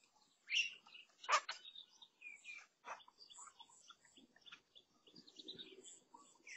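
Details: Lesser necklaced laughingthrushes at a fruit feeding station, 16 June 2022, give loud, harsh chattering calls and squeaky notes in irregular bursts, with other bird chirps and faint rustling underneath.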